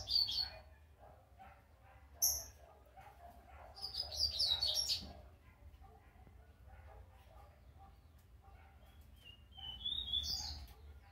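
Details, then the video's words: Brown juvenile double-collared seedeater practising its first notes: brief high twittery bursts separated by pauses, a sharp chip near the start and a rising whistled slur near the end, with steady low hum behind. "coleira Pardinho apreendendo suas primeiras notas"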